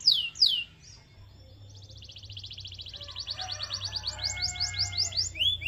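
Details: Canary singing to stimulate other canaries: a few sharp descending whistles, a quiet pause, then a fast pulsed trill building into repeated swept chirps, with a faint low hum underneath.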